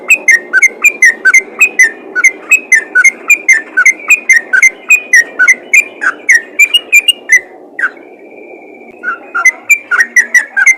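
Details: Yellow-vented bulbul calling other bulbuls, giving quick chattering whistled chirps in a fast regular series, broken near the end by a brief lull with a thin steady tone before the chirping resumes.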